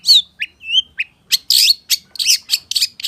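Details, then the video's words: Long-tailed shrike in active song full of mimicked phrases: smooth slurred whistles give way to loud, harsh scratchy bursts and squawky chatter. "SUARA PENTET GACOR FULL ISIAN || CENDET GACOR"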